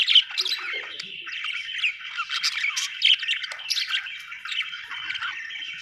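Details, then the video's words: Budgerigar chirping: a dense, busy stream of bright, scratchy chirps and squawky warbles that overlap almost continuously for six seconds, with sharper, louder bursts near the start and around the three-second mark. "budgie chirping sound"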